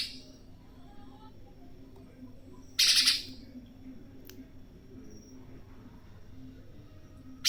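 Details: Spiderhunter, a tame bird recorded outdoors whose fierce voice serves songbird training, utters one loud, harsh burst of rapidly pulsed notes, then near silence with a faint click and a final short burst.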